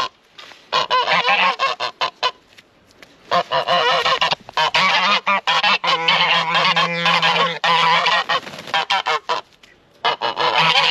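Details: Aggressive domestic geese at a farmyard henhouse sound the alarm at a passer-by: loud, grating honks pour out in long overlapping volleys, several birds calling together, broken by two short lulls before the clamor resumes.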